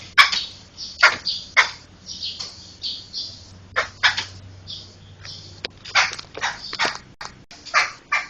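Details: Laughingthrush recorded as tutor song for other cage songbirds; rough, scratchy, broadband bursts come in irregular clusters, some doubled, with a steady low hum underneath.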